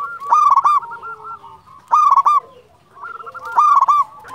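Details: Local champion zebra dove, a prolific singer, calling; stuttered cooing phrases with strong overtones, each lasting about half a second and repeated roughly every one and a half seconds.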